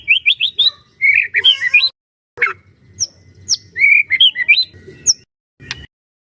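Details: White-rumped shama song from a caged bird used to prompt other shamas to sing: short rising whistle runs and slurred notes, broken by sharp clicks and brief pauses.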